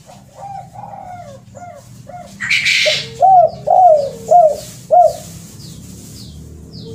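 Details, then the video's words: Spotted dove lure call of the kuk 2 and kuk 3 ending type: soft low coos, then four louder arched cooing notes about half a second apart, with a harsh noise burst midway and thin high chirps from other birds. "SUARA PIKAT BURUNG TEKUKUR KUK 2 DAN KUK 3"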